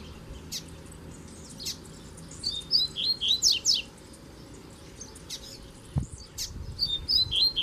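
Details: Double-collared seedeater, kept pair out in the bush, male in a song duel with a wild black male; scattered sharp chips, then two bursts of rapid high warbled notes separated by a brief pause.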